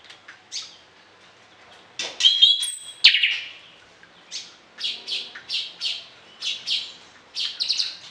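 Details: Orange-headed thrush in full, frequent varied song used as tutor material for other birds in morning and evening: bursts of high, sharp chirped notes, a brief whistled tone, then a quick run of short repeated phrases about one per second.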